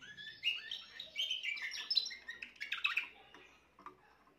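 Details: Young Timbrado canary hatched this year, recorded 14 June 2023, giving a brief burst of bright warbling notes and rolled trills that fades into quiet after three seconds.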